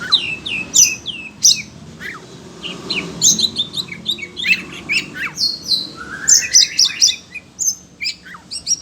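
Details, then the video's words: Excited caged Oriental magpie-robin answering the sound of other birds with a long, varied stream of sharp chips, buzzy notes and down-slurred whistles, including one rising whistled sweep. "Kacer SUNEO emosi denger suara burung lain"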